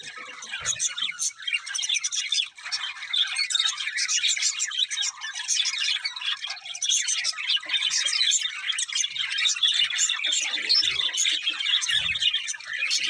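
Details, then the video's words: Long stretch of steady budgie chirping, a dense flock-like chatter of twitters, squeaks and warbles without a break, with occasional soft low thumps. "Beautiful Budgies Chirping Sounds"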